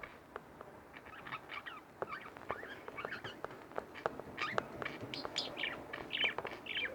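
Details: Budgerigars, two kept as pets, chatter steadily with rapid scratchy clicks and warbling notes, growing busier and louder toward the end with bright high chirps.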